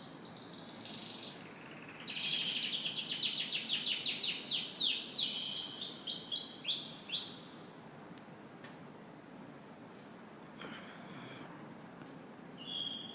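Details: A canary sings in the morning, delivering a burst of fast descending trilled notes for about five seconds, then near quiet with a few faint clicks and a brief final whistle.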